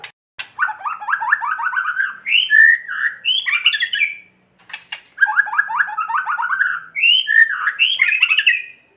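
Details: White-rumped shama kretekan, used to goad other shamas into singing: two bouts of rapid, rattling chatter of descending notes, each ending in bright rising whistles, separated by a short silence.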